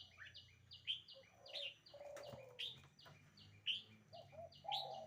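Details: Red-whiskered bulbul singing: short, bright, whistled notes repeated about once a second, with a faint high trill behind. Low, soft cooing from a dove runs underneath.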